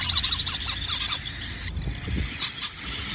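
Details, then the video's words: Baby cockatiel chicks in the morning give rapid, high, rasping squeals in a dense chorus for about a second, then scattered bursts, over a low background rumble. "Babies cockatiel"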